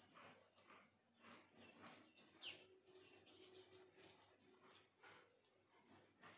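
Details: Sunbird calls at a home: thin, very high descending chips roughly every second or two, plus a softer mid-pitched sweep and faint background rustle.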